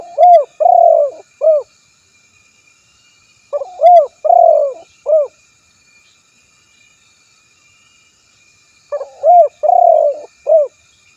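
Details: Spotted dove calling out a rival, a recording used to lure birds: three repeated phrases of soft, hollow coos, each with short notes around a drawn-out middle coo, spaced by quiet gaps.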